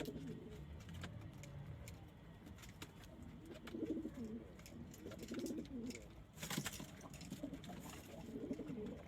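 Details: Pigeons kept at home, including local, Indian, Chinese and homing breeds; repeated low, rolling coos throughout, with rustling and a sharp clatter partway through.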